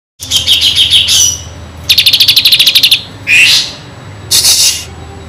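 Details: Kinoi singing vigorously with mimicked fill-in phrases, used as tutor song for white-rumped shamas: fast buzzy rattling trills high in pitch alternate with a short rising whistle, bursts separated by brief pauses.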